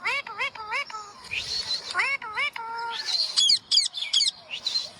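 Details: A green parrot calls in rapid repeated chirps, short rising-falling whistled notes in quick runs, mixed with harsh bursts and sharp squawks.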